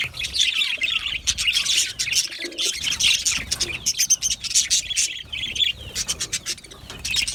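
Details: Aviary budgerigars chattering: overlapping high, scratchy chirps and warbles in uneven bursts, with brief pauses and a few lower squawky notes mixed in.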